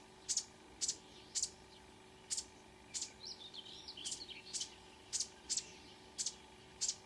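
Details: Marsh warbler at 5 a.m. in June near Ski, Norway: loud sharp high notes spaced about half a second apart, with a quick jumble of twittering whistles in the middle.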